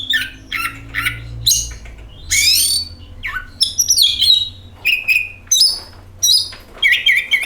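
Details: Oriental magpie-robin singing, played as a lure to prompt another bird to sing. A rapid, varied run of harsh rasping bursts, buzzy notes and bright whistled phrases that jump between high and lower pitches, with a faint low hum underneath.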